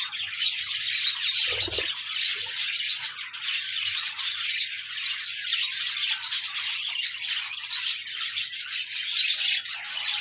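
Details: Lively, unbroken twittering of many pet budgerigars, high scratchy warbles layered densely together, to encourage a lonely pet budgie to sing; one soft thump sounds near the start.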